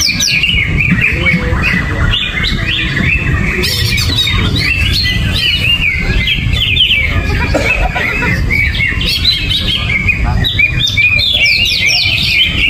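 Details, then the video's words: Greater green leafbird (cucak ijo) in restless 'gerabakan' song, uncovered cage: continuous chattering whistles and sharp sweeping notes, with bursts of louder rapid phrases, amid low background noise and faint voices. "Cucak Ijo Gerabakan No Pisang , No Kerodong , Cuaakkzzz !!!"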